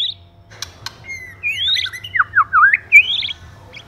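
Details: Male and female White-rumped shama in a 'kích lửa' session: a quick run of clear whistled notes, rising sweeps and dipping slurs, with a few sharp clicks before and a faint hum underneath.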